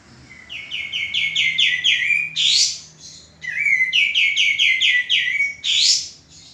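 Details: Male common iora song, used for training cage birds: a rising whistled note, then a quick series of about six bright, repeated downslurred notes ending in a loud buzzy burst, the phrase given twice.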